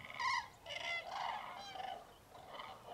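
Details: Chorus of cranes (Grus grus) waking at a foggy winter dawn roost, Tablas de Daimiel, mid-January. A loud bugled note opens, followed by softer, more distant overlapping trumpeting calls, with greylag geese and common teal among the birds.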